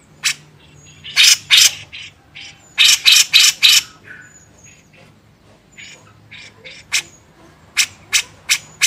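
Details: Master recording of a grey-cheeked bulbul for training songbirds: an energetic series of loud, scratchy, harsh bursts, some in quick groups of three, with quieter chatter between them.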